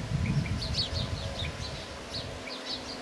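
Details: European bee-eater calling: short, liquid rolling notes repeated in quick succession at slightly varied pitches, suggesting several birds, over a steady low rumble of wind.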